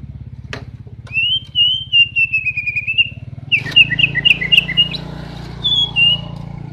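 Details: Greater green leafbird singing as a reference for training other birds: a long wavering whistle, then a series of quick bouncing whistled notes, a steady low hum in the background.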